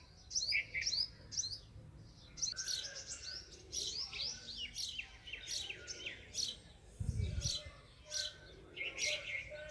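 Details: Sparrow, called chira, producing overlapping quick chirps amid crisp clicking and rustling noises, with a short low thud near the end and a steady background hiss.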